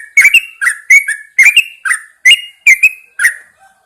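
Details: Yellow-vented Bulbul in a cage, hung outside early in the morning, chatters a continuous string of sharp, clicky whistled double notes, bright and slurred, with a faint low tone at the close.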